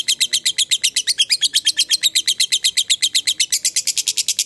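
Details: Long ngekek from a lovebird fighter, used as a lure to make other lovebirds reply: an unbroken run of loud, harsh, evenly spaced high chips, roughly seven per second, steady throughout.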